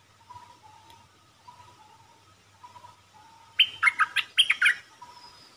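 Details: Decoy red-whiskered bulbul in a cage, used to lure birds for trapping, 1 September 2021. After soft repeated low chirps and a faint hum, it gives one bright burst of rapid whistled phrases.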